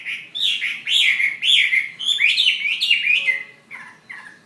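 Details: Fighting Chinese hwamei from Ha Giang, Vietnam: rapid, loud whistled song of looping, upslurred and downslurred notes, tailing off into softer, lower phrases at the end.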